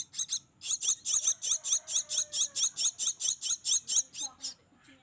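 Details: Hand-fed Javan myna nestlings, raised in captivity from small, beg while being fed: harsh, hissing, rasping bursts repeated about twice a second in a steady run, fading into softer scratchy notes at the end.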